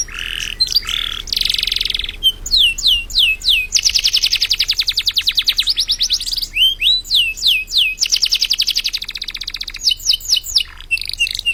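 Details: Contest-winning canary from East Java, Indonesia, singing a long varied phrase: buzzy sustained tones, quick downward-swept whistles, then long rapid rattling trills, more falling whistles and another fast trill, all loud and continuous.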